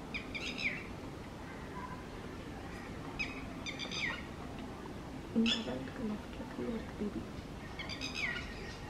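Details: A parent Red-wattled lapwing in Coimbatore, Tamil Nadu, India, on 29 April 2019, gives sharp, strident alarm notes in short bursts every few seconds while defending its chick from a trespassing adult peafowl.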